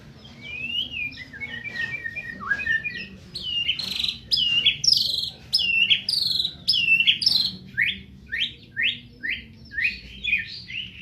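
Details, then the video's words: Song of a white-rumped shama from Medan: a tumbling opening of mixed whistles, then loud, evenly spaced high notes, each a sharp upward-hooked whistle repeated roughly once a second. "Burung murai batu medan"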